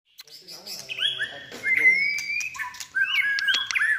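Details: White-rumped shama, a caged bird trained for singing contests in its third season, singing a string of clear whistled notes, long slurred glides and sharp chips, with faint low murmuring behind.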